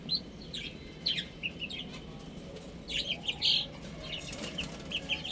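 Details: Baby hens chirping during eating and drinking: clusters of sharp, high, brief peeps in groups of two or three, separated by short pauses, over a quiet hiss.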